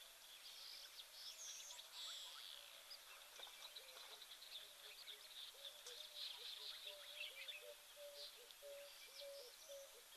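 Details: An emerald-spotted wood dove (Turtur chalcospilos) calls in the background at an African waterhole on 31 August 2024 while an elephant feeds nearby. It gives a soft, low series of hooting coos that quicken toward the end, beneath a dense chorus of insects and birds.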